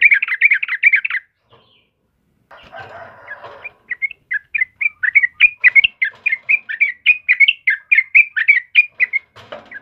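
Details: Yellow-vented bulbul of the kebo type, singing lively as a lure and tutor for caged birds: a burst of quick chirpy notes, a pause with faint rustling, then a long run of short bubbly warbled phrases repeated rapidly.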